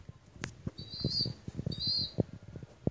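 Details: Young pigeon squealing twice in high, steady whistled notes about a second apart, with frequent light taps and scuffling close by.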